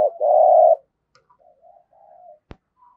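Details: Caged decoy spotted dove in 'giọng thổ' voice gives one long, full, low coo, followed by quiet wavering murmurs and a single sharp click.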